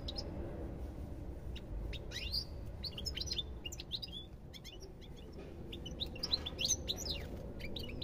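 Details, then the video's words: European goldfinch twittering in quick, irregular bursts of bright, high, slurred notes, some rising and some falling, set against a low droning background. "ربع ساعة من تغريد طائر الحسون"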